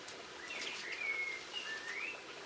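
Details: In Cornwall on 22 March 2016 a Linnet sings a short sequence of clear thin whistled notes, some rising and some level, blended with soft twittering, over steady background hiss.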